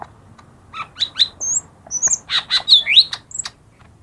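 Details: Song of a lesser green leafbird, played to coax birds that will not sing: a lively four-second string of high, sharp whistles, slurred notes and short chirps, delivered rapidly with brief pauses.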